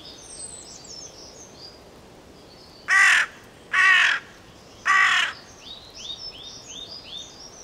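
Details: Carrion crow (Corvus corone) giving three loud, harsh caws spaced about a second apart, each a broad rasping burst, with thin high chirps of smaller birds before and after.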